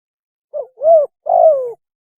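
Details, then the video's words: Spotted dove mating call used as a lure: a short low coo followed by two longer smooth cooing notes, the last drawn out and falling, in clean silence. "PANGGILAN KAWIN...!!! SUARA BURUNG TEKUKUR TERBAIK"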